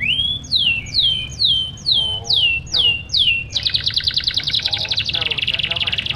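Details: Canary singing in a cage to spur lazy canaries into song: a series of downward-swooping whistles, about two per second, then a sudden switch to a rapid, buzzy high trill that runs to the end, over a low background hum.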